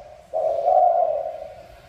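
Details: Spotted dove giving a single low, smooth, drawn-out coo lasting over a second, fading gently at the end, with faint room-like background hiss.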